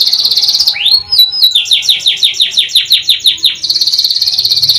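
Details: Singing canary: a steady high trill breaks into a rising swoop. About a dozen evenly spaced falling notes follow, and the high trill comes back to close the phrase.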